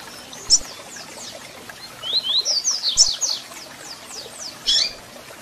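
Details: Double-collared seedeater song used to fire up a captive bird: a lone sharp chip, then a tight rapid series of high, slanting whistled notes at mid-clip and a final bright chip, with faint hiss behind.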